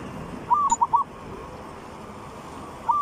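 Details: Zebra dove song used as a lure for training birds: a short phrase of clear, soft cooing notes around one pitch, a few quick rolling coos, then silence before the next phrase starts, over faint background hum.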